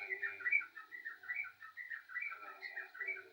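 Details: Yellow-vented bulbul singing actively: a run of quick, bubbly, warbling notes, each rising and falling, chattered almost without pause, with a faint steady high whine behind.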